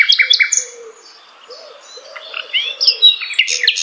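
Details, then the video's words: Common nightingale song, used as a tutor sound for magpie-robins: rapid high chirps and clear rising whistles in varied phrases, broken by a short pause, with soft low cooing notes underneath. "MASTERAN SUARA BURUNG | Common nightingale Luscinia megarhynchos"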